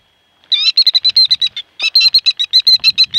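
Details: Killdeer mother defending her eggs laid behind a car: two loud, rapid series of shrill high notes, each about a second and a half, with a brief pause between.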